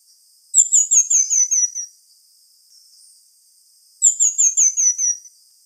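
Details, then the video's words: Two identical songs from a pin-tailed manakin, about three seconds apart: each a rapid cascade of six or seven high, piercing notes that drop step by step in pitch, with near-silence between them. "Canto do Tangarazinho / Saíra Licúria | Pin-tailed Manakin"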